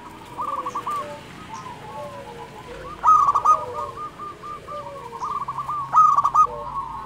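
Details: Local zebra dove in full, frequent song, used to coax quiet doves into singing: rolling cooed phrases with fluttering notes, two pitch levels interleaved, sharp bright bursts near three and six seconds over faint background hiss.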